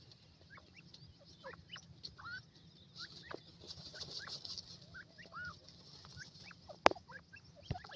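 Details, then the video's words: Grey francolin chicks playing on warm ground, giving short, thin chirps and slurred peeps, scattered irregularly and a few overlapping, over a steady high hiss and low background rumble, with one sharp click near the end. "dakhni teetar k bachay garm zameen khail rahay,white partridge baby voice"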